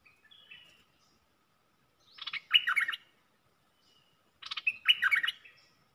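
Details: Caged red-whiskered bulbul kept as a decoy bird for luring wild birds, singing two short, rich warbled phrases about two seconds apart, each a quick burst of bright, bubbling notes, after a faint soft note at the start.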